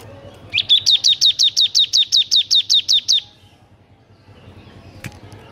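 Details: Bar-winged prinia in full, lively song meant as a tutor for birds that sing little: a fast even run of about fourteen sharp high chirps over nearly three seconds, then quiet with a faint click.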